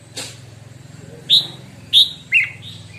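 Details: Short snatch of red-whiskered bulbul song during morning practice: three clear, sharp whistled notes in quick succession after a faint chirp, over a steady low mechanical hum.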